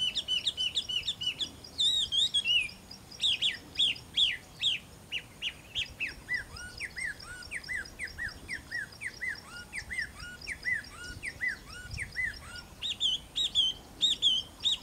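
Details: Taiwan hwamei singing at Caonanpo on 10 April 2016: long run of loud clear whistled notes, many short downslurred and upswept phrases repeated in quick series, with faint background noise.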